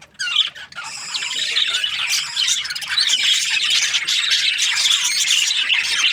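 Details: Budgerigars from breeding pairs opening with a few sharp separate squawks, then building into a dense, continuous high chatter of chirps and warbles.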